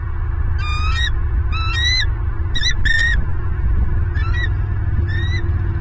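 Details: Nesting bald eagle in Southwest Florida, live camera, 30 November 2022, first egg laid: a loud run of five or six high, stuttering piped bursts, each a quick cluster of thin squeaky notes, over a steady low rumble.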